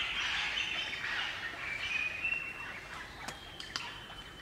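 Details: Group of wild Crimson Rosellas singing and chattering in the bush of Barrington Tops National Park, New South Wales, Australia: clear whistled bell-like notes held around steady pitches, mixed with harsh broadband chatter and sharp clicks near the end.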